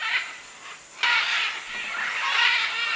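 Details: Many macaws and other birds at a clay lick in the Manu jungle of Peru, 2008: harsh, raspy squawks overlapping into a dense, continuous chorus that swells louder after the first second with no clear pauses.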